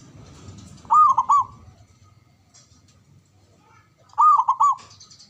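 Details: Male zebra dove, local gacor bird, giving two rolling coo phrases about three seconds apart, each a quick run of soft gurgled notes, with a faint low rumble in the background.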